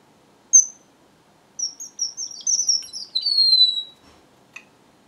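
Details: One sharp high note from a strawberry finch, then a sweet phrase of quick whistled notes that finishes in a long descending glide.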